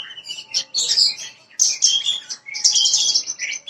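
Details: Parva bushlark song meant to prompt a young bird to sing: continuous high warbling with harsh, buzzy phrases and bright chirps, coming in irregular runs about one per second.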